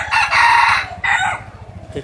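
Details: Red junglefowl decoy bird of a hybrid line gives a strong, rasping crow: a long drawn-out phrase followed by a shorter second burst, with faint low rumbling underneath.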